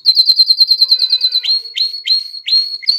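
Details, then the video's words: Singing canary, used to arouse females for mating and prompt young birds to sing: a fast series of sharp high chips, then repeated rising whistled notes swooping up into a steady high tone. "تغريد كناري نار لتهييج الإناث على التزاوج وتحفيز الفراخ على التغريد"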